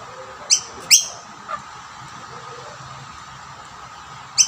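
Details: Rainbow lorikeets feeding from two plates, a dominant male driving other birds away: two quick shrill chirps near the start, a faint softer note, then silence before one last sharp chirp.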